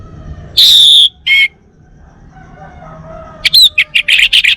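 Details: Caged male Bali orange-headed thrush from North Bali: one long loud whistle and a short lower note, a quiet pause, then a burst of quick sharp chips and buzzy notes, with a low faint hum underneath.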